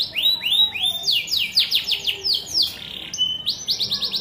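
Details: A singing canary delivers rolling series of falling whistles, a brisk run of steep sweeping notes, a short steady tone and a quick closing trill, all bright and high-pitched.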